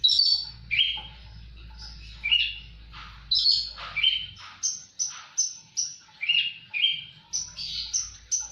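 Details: Song of a Javan bush lark singing steadily: short high sweeping notes, some falling and some level, delivered in quick succession and interspersed with lower buzzy phrases, over a soft low background hum.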